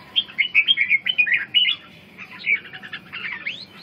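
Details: Red-whiskered bulbul singing a rapid series of loud, clear whistled notes, followed by a softer stretch of warbled and upslurred phrases.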